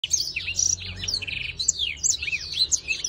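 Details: Black-throated canary singing during breeding, a fast stream of high whistled chirps, sweeping slides and a short buzzy trill, continuous and lively.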